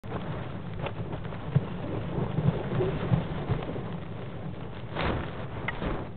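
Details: Heavy rain with low rumbling and scattered thuds, and no animal voice is heard.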